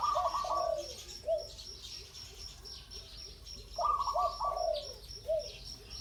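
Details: Spotted dove, in a setting tied to ground decoy trapping, giving two cooing phrases a few seconds apart, each a soft rising coo followed by drawn-out lower notes, with a constant high insect-like buzz behind.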